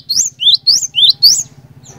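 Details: Cinereous tit (glatik batu) in strong singing form, used as a lure to get other tits singing: bright whistled two-part phrases, each rising then dropping, five in two seconds over a low steady hum.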